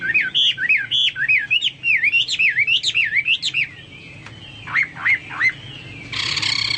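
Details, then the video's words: Gacor-singing Chinese hwamei, song likened to cucak Papua or cucak mas; fluid series of looping whistled notes, a pause, a few sharp slurs, then a brief harsh noisy burst. "burung hoa mi seperti cucak Papua atau cucak mas gacor"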